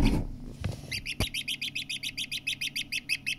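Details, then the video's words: Partridge chick peeping in a rapid, even series of high chirps, about five per second, after a few low thumps and a brief click at the start. "Звуки птенца куропатки"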